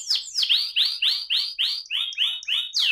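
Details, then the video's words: AF canary singing its rolling (ngerol) song: a chain of about ten quick, high, downward-sweeping notes, each about a third of a second long, with a clean, quiet background. "kenari AF ngerol"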